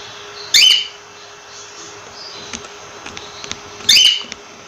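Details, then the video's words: Two piercing, brief cockatiel chirps roughly three seconds apart, separated by soft clicks and a faint constant hum in a small room. "Cocktail Bird Sound"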